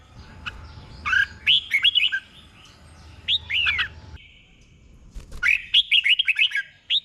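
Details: Caged red-whiskered bulbul used as a tutor bird, singing doubled 'beun' phrases: bursts of bright, slurred, warbling whistles at about 1.1, 3.3 and 5.5 seconds, separated by pauses, over a low background hum.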